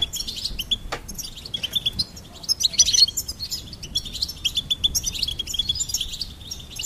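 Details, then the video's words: A goldfinch sings a fast, bright twittering of high tinkling chirps and trills, running almost without pause over faint low background noise. "Goldfinch Singing and Song Compilation"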